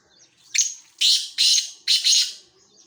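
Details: Male black francolin (kala teetar) giving its breeding call: a loud, harsh, grating phrase of rasping bursts, one short note followed by three longer scratchy ones within about three seconds, with little background noise.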